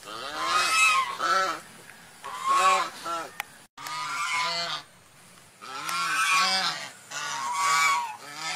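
A swan gives loud, nasal, trumpeting honks in quick bursts of several notes, pausing briefly between bursts; no other clear sounds.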